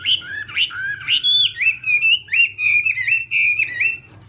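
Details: Chinese hwamei singing in the morning during voice training for a singing contest: loud, rich whistled phrases sliding up and down, then a run of short repeated rising notes, over a faint low hum.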